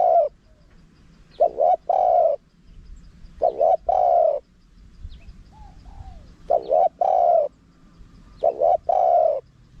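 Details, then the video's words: Spotted dove, small-voiced karam singing with khat and nun, used to attract wild doves. Five low phrases of a short double coo and then a long resonant coo recur every two seconds or so. Faint chirps sound in the background. "เสียงนกเขาใหญ่ คารมป่า (เสียงเล็ก) มีขัด มีหนุน คูอ่าง ใช้สำหรับเปิดต่อ ยั่วนกป่าเข้าร่วมเร็ว"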